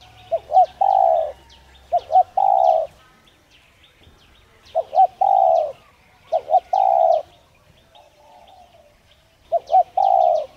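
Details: Spotted dove repeating its coo, used for stimulating a dove to coo: five or so three-part phrases, two clipped notes then a long steady tone, separated by short pauses, with distant chirping birds.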